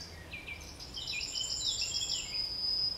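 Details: Yellowhammer singing at the edge of Kabaty Forest: a quick run of about a dozen short, high, evenly repeated notes, closing on one long, drawn-out, thin high note, over faint outdoor background noise.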